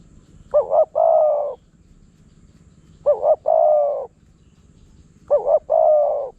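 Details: Spotted dove, wild and lured by a decoy in Phrae province, Thailand, arriving quickly and aggressively. Three matching loud phrases about two and a half seconds apart, each a fluttering double note followed by a long, smooth, falling coo.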